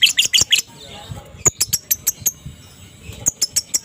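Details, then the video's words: Adult fighter lovebird in the morning, sounding to provoke quiet lovebirds into answering with ngekek chatter: bursts of sharp, high chirps, a quick cluster at the start, then spaced single chips repeated about every fifth of a second. "pancingan suara lovebird dewasa fighter ngekek dipagi hari Jos pasti respon lb bisu"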